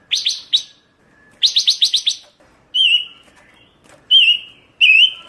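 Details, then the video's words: Pancawarna songbird in a tutoring recording: rapid bursts of sharp, high chirps in quick series, then three separate loud, clear whistles that bend and waver, with short silences between. "Masteran burung pancawarna// gacor super brisik"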